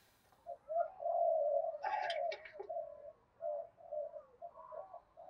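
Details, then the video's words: Decoy spotted dove giving a rapid run of 'thúc gù' coos, a long rolling coo followed by shorter repeated notes, with a brief burst of rattling noise partway through. "Tiếng cu gáy mồi đủ bài giọng to tướng đẹp giọng hay giọng đồng thổ hay"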